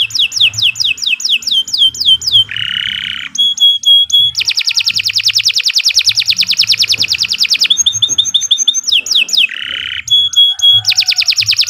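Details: Canary master song: phrases of descending whistles, buzzy rattles and clear tones alternate with an extended dense high trill, all sung energetically with little pause; soft low hum in the background.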